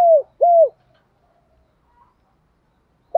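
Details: Spotted dove used as a lure for wild doves: two strong, low coos that fall off at the end, followed by near silence and the start of another note.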